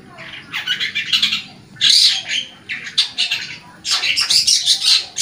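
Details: Long-tailed shrike in lively, vocal form, used as a lure to get caged shrikes singing: rapid bursts of harsh, scratchy chattering notes, loud and rasping, in several phrases with short breaks.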